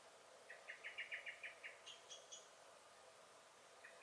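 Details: Common blackbird (Turdus merula), garden, 23 May 2021, alarm calling: a run of eight fast chattering notes, followed by a few thin, higher notes from another bird, then a single faint call.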